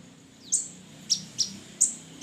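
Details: Sunbird sound used as a lure to get other birds singing: five very high, thin sharp chips, spaced irregularly about a third to half a second apart, over quiet background.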